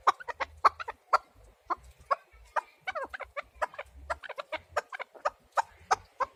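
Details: Scattered chuk notes from a chukar partridge, irregular in spacing and loudness, with low thumping sounds underneath.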